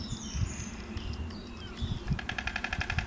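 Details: A white stork, seemingly pleased with its new lookout post, clatters its bill near the end: a fast, dry wooden rattle of about a dozen clacks a second, after faint whistles from other birds and low wind rumble.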